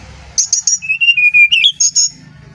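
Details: Brown-chested jungle flycatcher from Bali, singing a flute-like song used as a lure for other birds; clear whistled notes, a few high short ones, then a sustained run of steady mid-pitched whistles rising into further high notes.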